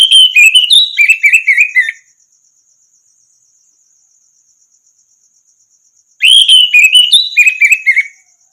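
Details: Orange-headed thrush training song meant to make silent songbirds reply: a brisk phrase of loud, rich whistles dropping in steps, a pause over a faint insect trill, then the same phrase sung again.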